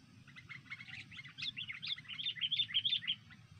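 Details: Sooty-headed bulbul chatter used for luring and trapping birds: a fast run of sharp, bright chirps that grow louder and higher, repeated about three times a second, with a faint low hum beneath.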